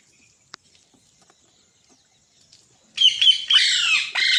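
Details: After three seconds of near silence, a pet green parrot bursts into loud, harsh, high screeching, held and wavering, then cut short and started again.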